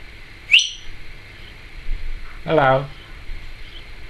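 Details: Timneh African grey parrot in a home, talking pet that says trick or treat; one bright rising whistle, then after a pause a short harmonic, speech-like utterance, with low household hum.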